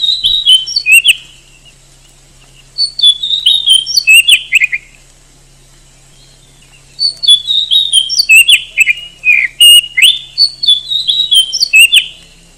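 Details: Loud, varied whistles from an oriental magpie-robin, known in Indonesia as kacer, come in three long phrases of quick chirps and slurred notes with brief gaps between them. A faint low hum runs underneath.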